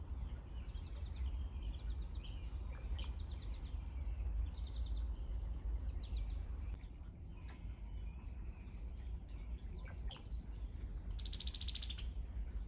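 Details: Brown-headed cowbirds visiting, giving weird gurgling calls likened to a cartoon water drop: short liquid clusters around mid-high pitch, then thin high whistles and a bright buzzy burst near the end, over steady low rumbling background noise.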